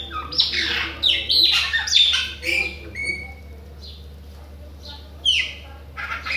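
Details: Bahian Chopi blackbird singing persistently, a fast jumble of scratchy squawks and clear whistled slurs, followed by sparser single rising and falling whistles spaced about a second apart over a constant low hum.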